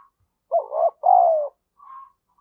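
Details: Decoy spotted dove giving an urging coo to stimulate other doves: one husky two-note coo, the second note long and slowly falling, followed by a faint soft hum.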